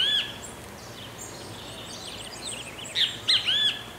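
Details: Great kiskadee singing in the countryside of Pirenópolis, Goiás, Brazil, gives a single note at the start and a loud, three-part arched call near the end, while other small birds chirp and twitter higher behind it.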